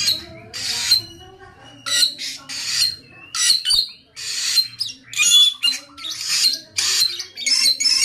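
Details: Samyong in vigorous song: loud, grating squawks and chatter mixed with short whistles, coming in bursts of roughly half a second with brief pauses, becoming denser toward the end; faint low hum behind.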